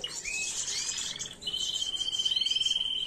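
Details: A canary's error-free song for teaching young birds, 2022; quick chirps give way to a pure, high, unbroken trill with fast pulsing rhythm.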